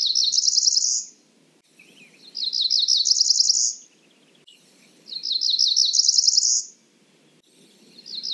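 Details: Repeated song of a Cerulean warbler: rapid, high, rising run of buzzy notes ending in a thin trill, given about every three seconds, with a quiet low rumble beneath.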